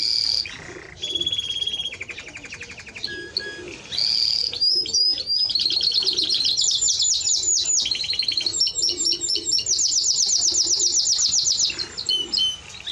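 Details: Timbrado Español canary delivering a long song of piping whistles, slower pulsed rolls, then sustained fast ringing trills and rapid repeated notes that run almost without pause.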